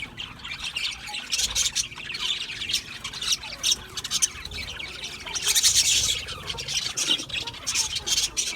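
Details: Budgerigars chirping in a steady stream of high twitters, clicks and raspy squawks, swelling into a louder burst of chatter partway through before settling back.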